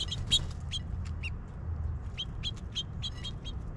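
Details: A house finch, with a male and a female present, in Ontario sings a quick run of short, bright, chirpy notes, about three or four a second, over a steady low rumble of traffic.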